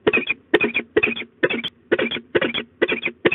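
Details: Scolding peregrine falcons at De Mortel, 15 March 2022, 13:40, the female scolding for over ten minutes with the male helping. Steady rasping clusters of harsh cackling notes come roughly twice a second against a faint low hum.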